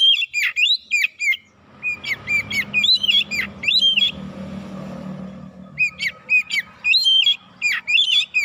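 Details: Oriental magpie-robin lure song intended to make birds agitated and sing their full repertoire; repeated bursts of sharp whistled chirps and down-slurred notes, with a low rumbling noise underneath in the middle.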